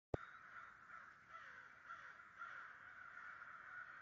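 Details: A huge flock of about 100 American crows in New Jersey, recorded in 2011, cawing together: a dense, continuous chorus of harsh overlapping caws with no single bird standing out, starting abruptly after a brief click.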